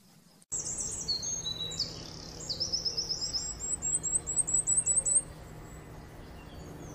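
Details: Common firecrest song: very high, thin notes that speed up into a quick run of tiny repeated notes over about five seconds, with a low steady hum beneath.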